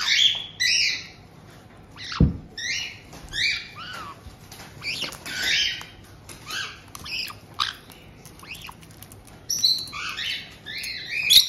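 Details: Several white-bellied caiques in a Tokachi, Hokkaido home, June 2023, as an established pair welcomes a young bird of about two months. Short squeaky chirps repeat about every second, with clicks, taps and a thump.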